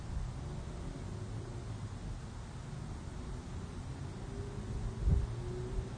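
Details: Low rumbling noise like distant traffic or wind, with a faint steady tone near the end and a brief thump around five seconds; no animal calls.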